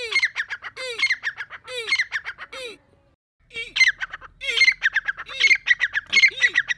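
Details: Breeding-season Deccani grey francolin giving harsh repeated phrases of a low arched note and scratchy clicks. After a short silence the calling returns louder and faster.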